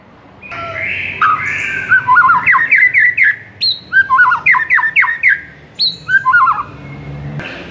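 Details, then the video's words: Master song of a white-rumped shama for stirring a mute bird into song: several phrases of sharp, high whistles and rapid slurred notes, repeated with short pauses. "MURAI BISU SONTAK NAIK EMOSINYA DENGAR MASTERAN INI"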